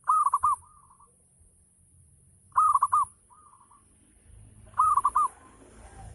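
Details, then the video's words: Local zebra dove performing ngayer-style song used as a lure for other doves: three strong rolling coo phrases spaced about two and a half seconds apart, each trailed by a quieter coo, with hiss and some low noise near the end. "Gacor Perkutut Lokal || Pancingan Full Ngayer Perangsang Nyaut Bunyi"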